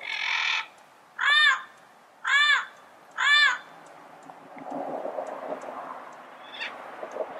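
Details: A broad harsh note, then three evenly spaced, ringing squawks about one second apart from a yellow-headed amazon, followed by low background murmur.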